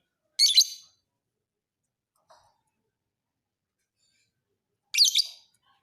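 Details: Fighter lovebird used to train other birds: two brief, shrill, raspy chirp bursts about four and a half seconds apart, separated by near silence.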